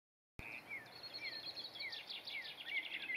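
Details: Birdsong at sunset: short slurred whistles repeated about twice a second, over a busier run of higher twittering notes and trills, with a steady thin insect-like hiss behind.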